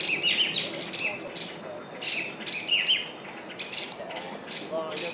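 Masked laughingthrush giving harsh, rasping chatters in short bursts about every second, with thin high chirps mixed in.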